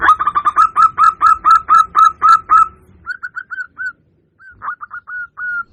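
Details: Lure call of a local zebra dove for attracting wild birds: loud, rapid hooked coos repeated about twice a second, then softer broken coos after a short gap.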